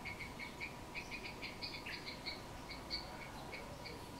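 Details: Wild Cambodian bird, 6 April 2020; soft repeated short notes in an uneven run, a few slightly higher and louder ones mixed in, with constant low hiss behind.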